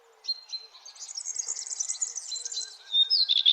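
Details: Birds chirping at sunrise in the early morning, with a continuous, busy high twittering and thin whistled notes, ending in a louder, sharp warble.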